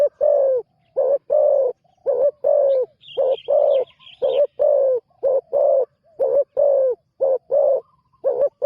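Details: Spotted dove cooing steadily during a new bird's first decoy training session: a continuous run of paired low coos, short then long, with a faint higher chirping from another bird briefly in the background.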